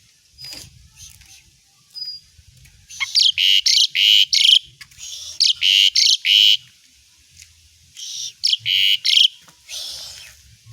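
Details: Asian pied starling song used as training material for other songbirds: bursts of loud, harsh, broadband chattering notes with a clear whistled tone near the top, in phrases around three to five and eight to nine seconds, with quieter notes between.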